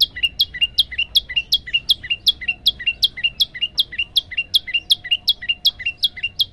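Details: Phone recording of a male Olive-backed Tailorbird giving a variation song of long 'tembakan' phrases: steady, insistent two-part chips, low note then high shrill note, about seventeen phrases in quick regular rhythm, little else audible.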